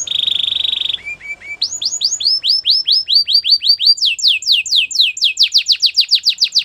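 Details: Canary song opening with a dense buzzy trill, then short low notes, then long runs of rhythmic down-slurred whistles that speed up into a rapid tumbling series.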